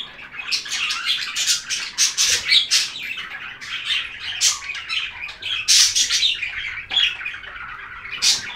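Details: Budgerigars chatter busily in dense, scratchy warbles and squawky high chirps, with louder peaks every second or so.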